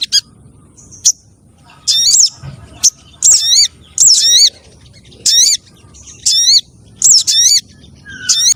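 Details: Spiderhunter calls used as a lure for wild birds, possibly combining several spiderhunter types. Bright, high chirps and wavering whistled notes in short rapid bursts roughly once a second, with a faint lower note near the end and little background noise.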